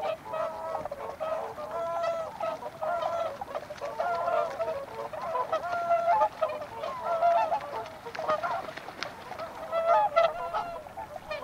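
Whooper swans give loud, bugling honks, nasal and trumpet-like, overlapping in a steady chorus with several birds calling at once.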